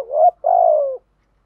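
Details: Decoy spotted dove cooing to provoke wild rivals: one phrase of a short wavering two-part note, a brief pause, then a long, low, steady coo that falls slightly at the end.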